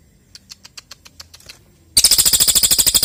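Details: Golden-bellied gerygone (cililin) in full song, recorded as a tutor for training magpie-robins and white-rumped shamas. Spaced high ticks, then a loud, rapid, buzzy trill of about fifteen notes a second.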